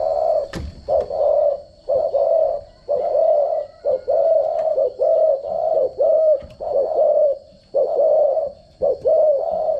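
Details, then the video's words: Spotted dove decoy call used for daily voice training of doves: repeated low, mellow cooing phrases, about one per second, each a soft rounded coo with slight rising and falling inflection, steady hum in background. "chim cu gáy mồi giọng gáy chuẩn dùng luyện giọng chim cu gáy mỗi ngày"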